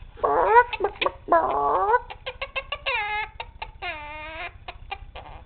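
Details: Pet male Quaker parrot being called bird and being silly, said to cluck like a chicken: rapid run of clucking, harmonic squawks and clicks, some drawn-out nasal notes near the middle, over a steady low room hum.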